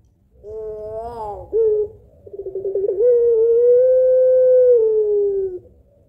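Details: Lure call of a puter pelung Barbary dove, the long two-note kuwok meant to set other doves singing: a rising-then-falling coo, a short note, quick fluttering pulses, then a sustained, slowly falling low tone.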